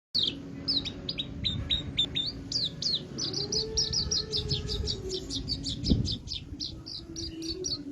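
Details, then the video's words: Javan bush lark singing: rapid series of high, sharp whistled notes, many with quick downward or upward inflections, delivered in a fast continuous run, over a low steady hum and faint background noise. "Kicauan terbaik branjangan gacor isian branjangan Javanica gacor"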